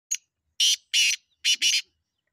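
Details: Black francolin (kala teetar) from Punjab: a short sequence of harsh, grating, broadband notes: one brief click-like note, then three loud rasping notes, the last doubled.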